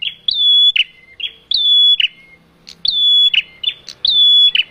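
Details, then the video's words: Bar-winged prinia, a male, calling as a trapping lure: four loud phrases of a high sustained whistle opened by a rising flick and closed by a dropping chip, with brief sharp ticks between phrases. "Suara prenjak jantan pikat di jamin langsung nempel"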